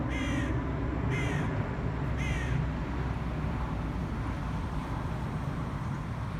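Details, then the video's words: Three hoarse caws roughly a second apart open the recording as black crows go after a pigeon, followed by only a low, continuous hum of wind and distant engines. "nature fight: crows VS pigeon"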